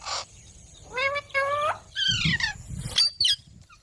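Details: Green parrot making natural sounds: a brief high note, two rising harmonic calls, then a falling, buzzy squawk and scattered sharp high chirps, with low thumping noise in places.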